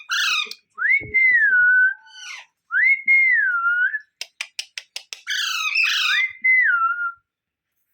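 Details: Pet green parrot whistling a repeated clear, rising-then-falling slurred note three times, mixed with harsh squawks and a quick burst of sharp clicks in the middle.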